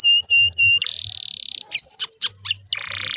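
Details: Canary in full song, used to prompt young canaries to sing: steady whistled tones, a fast buzzy trill, a burst of quick sweeping chirps, then another rapid roll, with faint low background hum.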